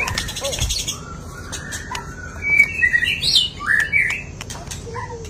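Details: White-rumped shama singing after its moult, a varied run of whistled and warbled phrases around mid-high pitch, with sharp clicks and a steady background hiss.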